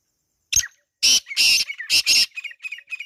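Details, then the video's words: Wild black francolin recorded in natural surroundings, calling: a short sharp note, then a run of loud, harsh, grating broadband bursts in quick succession, the last ones fading into softer echoing notes. No other clear sounds. "Kala Teetar Ki Awaaz | Real Wild Black Partridge Sound | Jungli Teetar Calling"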